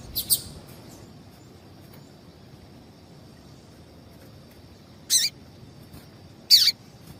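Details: Female double-collared seedeater calling, a call used to warm up males to sing in singing tournaments: three short, sharp, high chip notes, one near the start and two spaced about a second and a half apart near the end, over quiet background hiss.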